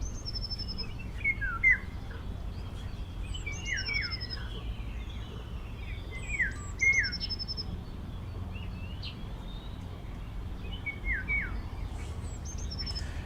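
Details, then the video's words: Recorded call of a Eurasian golden oriole played back outdoors at the Urdaibai marsh on 25 March, in spring: short fluty slurred whistles every few seconds, with thin high trills from other small birds and a low rumble. "Este es el verdadero reclamo de una oropéndola. Escuchad, Y"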